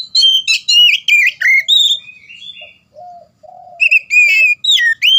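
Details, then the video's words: Oriental magpie-robin delivering gacor ngeplong song to encourage reluctant birds to sing: a burst of vigorous slurred whistles, a quieter stretch of low mellow notes, then renewed bright, rising whistles. "suara kacer gacor ngeplong cocok buat merangsang kacer bahan dan macet"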